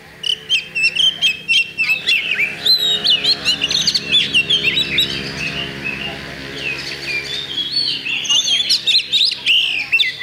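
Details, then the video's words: Oriental magpie-robin singing in a bird contest on 8 October 2020, pouring out rapid sweet whistles, twisting slurs and sharp ticks in dense bursts over a steady low hum in the background. "Kacer Bagong Ngunci Mulai Semi"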